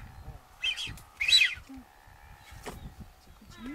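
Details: A Nazca booby in the Galápagos, Ecuador, in May 2012 gives two short, high, wheezy-whistled bursts about half a second apart over a steady low hum, with faint voices in the background.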